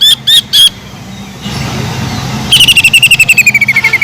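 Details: Greater green leafbird imitating a kingfisher: three loud ringing notes, a quiet stretch with low rumbling background noise, then a fast trill that slowly falls in pitch.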